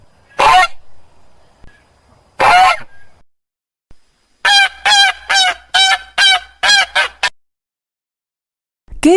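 A goose gives loud, nasal honks, first two single blasts, then a rapid run of harsh calls.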